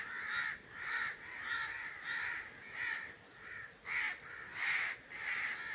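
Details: Raven calling in breeding season: a steady series of harsh, hoarse caws, roughly one to two per second, with two louder, brighter caws near the end.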